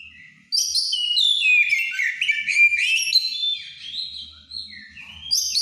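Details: White-rumped shama in breeding condition delivering plain, loud ngeplong song: a sudden rush of varied whistles sweeping down and up, then sustained clear notes and a closing phrase.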